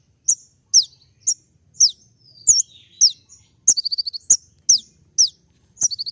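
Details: Brown-throated sunbird (kolibri ninja) delivering tembak-style song meant to provoke a response: a string of loud, thin high downslurred whistles, one every half second, broken once by a quick chattering trill.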